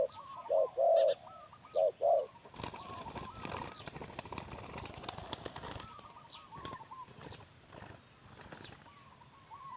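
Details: Male spotted dove kept as a ground decoy for trapping. Two bursts of loud hollow cooing come in the first two seconds, followed by rustling, knocking and faint distant coos against rural background noise.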